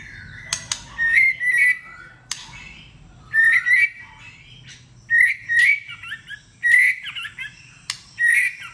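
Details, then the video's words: White-rumped shama in competitive singing, a varied song with many voices: bursts of rich whistled and warbled phrases near the middle of the range, each about half a second long, separated by short pauses, with sharp clicks between. "Kích chòe lửa hót /nhiều giọng / chòe lửa hót đấu"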